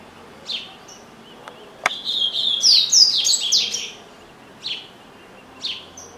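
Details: Double-collared seedeater kept as a family pet, reputed to sing a lot: isolated high chirps lead into a loud, rapid run of whistled and buzzy notes, then more lone chirps; one sharp click is heard.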